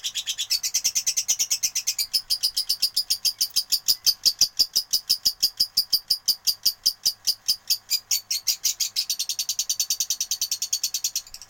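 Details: Lovebird singing in fighter style: a rapid, high, scratchy chatter of sharp chirps repeated about three times a second, steady and unbroken for over eleven seconds, indoors.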